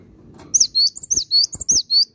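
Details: Cinereous tit in loud, clear song: high whistled notes alternate in rhythmic two-note pairs, about seven phrases in under two seconds, with faint low thumps underneath.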